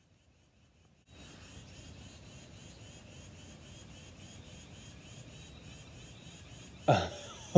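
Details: After a second of silence comes steady background hiss with faint ticking, then a thump near the end and a sharp knock at the close; no animal calls.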